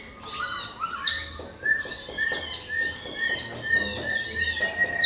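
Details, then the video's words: An orange-headed thrush gives its provoking lure song in a crystal-clear tone: rich, ringing whistled phrases with sweeping high notes, repeated in rapid bursts, with a steady thin whistle holding underneath. "SUARA MENGKRISTAL ANIS KEMBANG PANCINGAN TIADA LAWAN"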